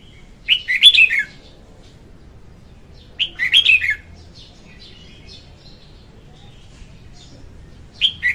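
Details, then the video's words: Red-whiskered bulbul hen singing, used to lure birds into traps: brisk chirpy phrases of quick up-and-down notes, three bursts separated by pauses of several seconds, otherwise quiet apart from faint low rumble. "Tiếng chim chào mào hót Ko Tạp Âm dùng đi bẫy"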